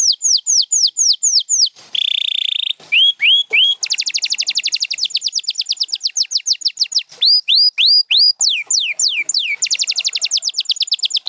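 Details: Domestic champion canary in full song: rapid falling whistles, a buzzy low roll, rising slurs, then a long fast high trill alternating with tours of repeated up- and downslurred notes.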